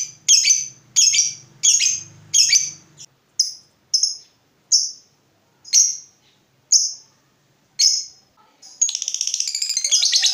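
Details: Lovebird lure sound for prompting silent lovebirds to sing: a steady run of sharp, high chirps about every half second to a second, ending in a dense, rapid, rattling long trill.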